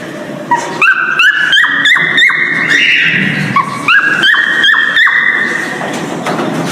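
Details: A breeding male cockatiel gives its mating call, a series of quick clicky notes each jumping into a clear held whistle, phrases climbing in steps and repeated, fading out with a soft rushing sound at the end.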